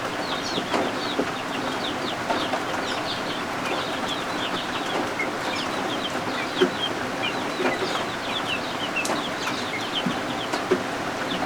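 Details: Newly hatched guinea fowl keets indoors, warming under a heat lamp while rain falls outside: many short, high, thin peeps in quick overlapping bursts throughout, over a steady hiss of rain.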